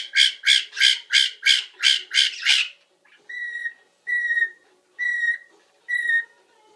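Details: Pet parrot mimicking other birds and microwave beeps during its nap routine: eight rapid harsh, raspy notes, then four evenly spaced pure electronic-like beeps about a second apart.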